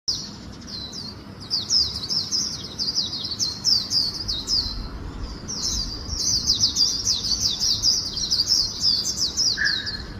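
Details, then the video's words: Swinhoe's white-eye singing a fast 'líu cựa đuôi' song style mixed with magpie-robin phrases: a long, high, rapid warble of thin twittering notes, running on with a brief pause near the middle and a lower note at the end. "Vành khuyên líu cựa đuôi pha chòe tốc độ"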